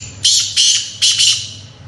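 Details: Black francolin calling: harsh, grating, broadband notes, a drawn-out rasp followed by three short scratchy bursts within about a second, over faint low background hum.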